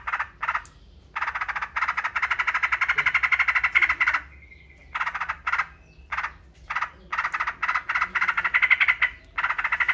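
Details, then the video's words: Rasping, rapidly repeated notes from a yellow-vented bulbul, delivered in strings of one to three seconds with brief silences between them. "TRUCUKAN,, super ISTIMEWA cocok untuk masteran pancingan PERANGSANG GACOR"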